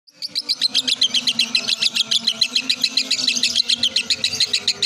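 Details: Lovebird singing at a competition in Indonesia, scoring 1,400 points: a fast, unbroken run of sharp high chirps repeated about four times per second, steady and loud throughout, with a faint low hum beneath.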